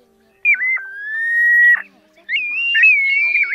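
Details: A plover recording used as a night-net trapping lure, August 2024: two long, clear, mostly level whistles separated by a pause, each with a quick downward dip, the second wavering slightly.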